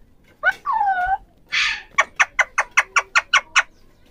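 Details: Three ringneck parrots, or Pahari parrots, talking: a squeaky rising-falling call and a raspy burst, then a rapid string of about ten clipped, chattering notes.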